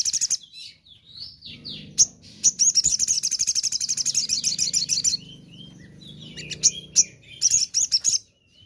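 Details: A crimson sunbird sings in the morning: a rapid, high, thin trill of sharp metallic notes running several seconds, broken by brief sweeping whistles and short chirps. The recording is used to stimulate silent sunbirds to sing.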